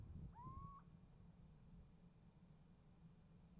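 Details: Short rising whistled call with an upturned end from a little owl at a nest box, 28 January 2015, exchanging calls with another owl; low rumbling noise at the start.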